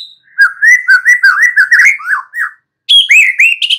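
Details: Song of a young wild forest White-rumped shama: a rapid run of varied, warbling whistled notes, then a pause and a higher, brighter burst of looping whistles.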